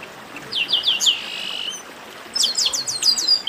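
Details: Chestnut-capped blackbirds sing together in 'baderna' fashion. Quick rising chirps lead into a long buzzy drone, then a fast run of high, repeated downslurred notes.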